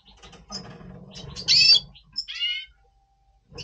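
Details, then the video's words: Red siskin in breeding mood, double pastel form, November 2023: a loud buzzy burst followed by descending whistled strokes over low-pitched chatter. "Red Siskin 🦩Double Pastell 🔥FeuerZeisig before Breeding - Voice Brutstimmung"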